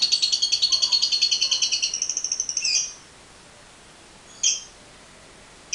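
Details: Lovebird long-chatter ('ngekek panjang') as a lure recording: a fast, high rattling trill fading over about three seconds into a harsh squeak, then two short sharp chirps after pauses.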